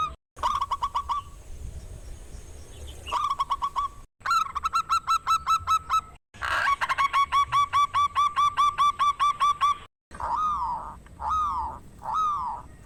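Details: Local zebra dove with a loud, rare voice, sung to provoke stalled rival doves into singing: fast runs of clipped, ringing coo notes, broken by brief gaps, then three slower drawn, arched coos at the end.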